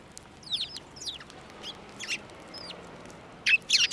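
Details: Sparrows landing on a hand for food at a Tenmangu shrine on 15 March 2024; thin, sparse chirps and short slurred notes, ending in a louder cluster of harsh chirps.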